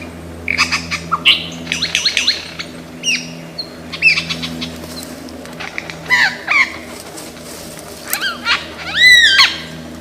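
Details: Australian forest lyrebird, a bird famed for copying many sounds, producing a scattered mix of chirps, sweeping whistles and clicks, with a louder swooping, ringing phrase near the end, over a constant low hum.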